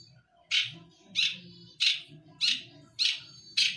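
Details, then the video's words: Long-tailed shrike (cendet), a kept songbird in Indonesia known for imitating other species, giving loud harsh high squawking notes spaced about every two-thirds of a second, over low background hum. "Materi Cendet / Long Tailed Shike"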